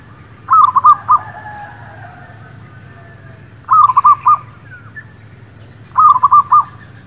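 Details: Zebra dove lure song for trapping birds: three bursts of four stuttering cooing notes each, spaced about two and a half seconds apart, with faint chirps in the background.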